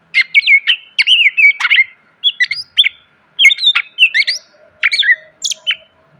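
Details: Greater green leafbird delivering dense song for teaching cage birds: clusters of looping whistles and sharp chirps in bursts roughly every second, low hum audible.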